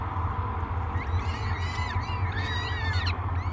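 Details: Peregrine falcon chicks, three of them, hungry at a morning feeding on the Great Spirit Bluff nest, 24 May 2022; overlapping arched, harmonic squealing calls from about one second on, with steady low drone beneath.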